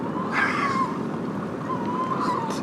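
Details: A wild Tawny owl in a Yate garden after dark, on the first day of winter, drawn in by a captive tawny's calls, gives two drawn-out, slightly wavering, catlike calls about a second apart, over steady hiss.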